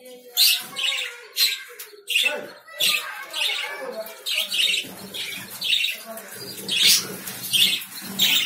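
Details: Lovebirds repeat shrill, grating chirps roughly every half second, forming an insistent, rhythmic chatter with some lower undertones.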